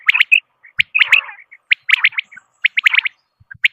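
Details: Quail calls used as a hunting lure in Pakistan: quick bursts of sharp, bright chirps in clusters of two to four notes, irregularly spaced across a few seconds, clean and without background noise.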